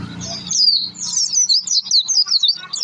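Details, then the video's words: Oriental white-eye in full song, played as a lure to trigger singing: after a brief low rumble, a tumbling run of high, squeaky, rapidly slurred notes fills the rest. "pleci gacor pancingan suara pleci"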